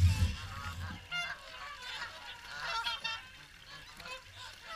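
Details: Swans gathered for the morning feed at WWT Caerlaverock give a mass of overlapping trumpet-like honks, opening with a low wind buffet.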